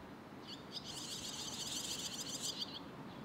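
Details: Barn swallow young waiting together for food in Sendai, Japan, June 2021, recorded with a camera-mounted shotgun microphone. A dense, high-pitched chorus of rapid overlapping chirps lasts about two seconds over a low steady background hiss.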